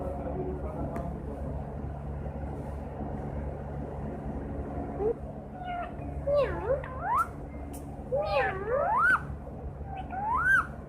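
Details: Green parrot that imitates a cat's miaow, first quiet, then a run of wavering, swooping meow-like calls rising and falling in pitch over the second half, with a steady low hum throughout.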